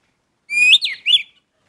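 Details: Orange-headed thrush giving a lively song phrase: a bright whistle sweeping upward, a twisting slurred note, then a final rolling warble, all in a clean, quiet setting.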